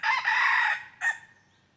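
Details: Red junglefowl crowing during decoy trapping on 23 January 2022: a loud, harsh crow held for nearly a second with a brief break, then one short clipped final note, over quiet background.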